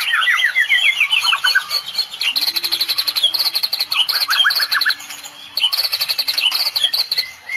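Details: White-rumped shama from Medan, Indonesia, singing a full cililin-style fill with rapid 'tembakan' bursts meant to make rival birds back down. Dense, high, rapidly repeated ticking notes run under slurred whistled phrases, with a faint low steady hum.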